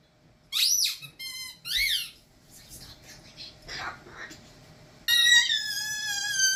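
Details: Pet male umbrella cockatoo, taught this sound, which is quieter than his typical screams: three shrill, harsh bursts, a quieter pause with faint indoor sounds, then a long, loud, rasping screech to the end.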